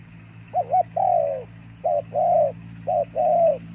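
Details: Spotted dove calling three times in quick succession, each a short wavering double coo followed by a long level coo that fades slightly, with a faint low hum behind.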